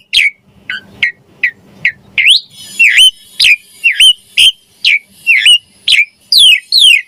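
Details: Rhythmic Javan pied starling song for training songbirds, short sharp notes repeated roughly twice a second, shifting into louder rising-and-falling whistled chirps.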